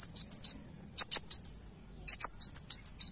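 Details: Van Hasselt's sunbird song played to trigger a reply: quick, high, squeaky chirps at about three per second, uneven in timing, with one soft sliding whistle and a steady shrill background tone.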